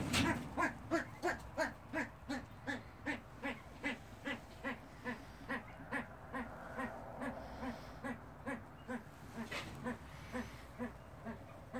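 Himalayan monal giving a long run of short, reedy, mid-pitched notes, almost three a second, steady at first then slightly irregular, over faint background hiss.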